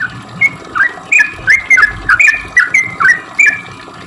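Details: Lively 'cuk cuk' lure song of a sooty-headed bulbul meant to stir bulbuls that seldom sing: crisp bouncing notes nearly three per second, alternating higher and lower, against faint background noise.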